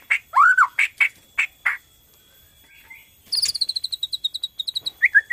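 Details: Singing Borneo white-rumped shama, played to set other shamas singing, gives loud sharp chips and a slurred whistle, a short pause, then a fast run of high, evenly repeated ticking notes and a final twisting whistle.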